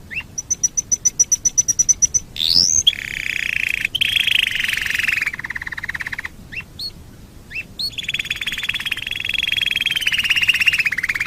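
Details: Long canary song passage for training other birds: quick high repeated notes, a swooping rising call, then sustained buzzy trills and pulsed rolls alternating with short upslurred chips.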